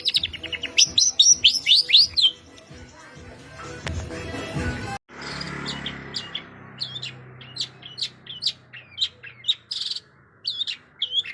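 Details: Long-tailed shrike singing an 'isian' song packed with varied fill phrases: a rapid run of high, sharply rising and falling notes, then after a brief cut a scattered series of short, thin, high chirps with pauses between them.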